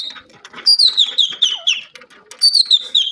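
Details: Grey francolin in lively mood giving loud, piercing whistled notes in quick descending series, two bursts of rapid repeated phrases separated by a short quieter gap with soft background rustling.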